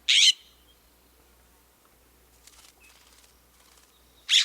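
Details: California scrub jay (western scrub jay) giving two harsh, raspy, cranky-sounding screeches, one at the start and one about four seconds later, with near silence between.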